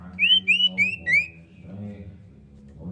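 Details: Female common iora calling for the male: four bright, drawn-out whistled notes in quick succession, each slightly lower than the last, followed by a steady low hum.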